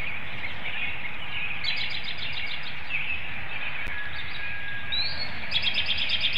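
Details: Bald eagle at a nest webcam in Hanover, Pennsylvania, early morning of 25 March 2019, calling during incubation for its mate to take over before a nest exchange; short bursts of rapid, high chittering notes over steady background hiss and faint thin whistles.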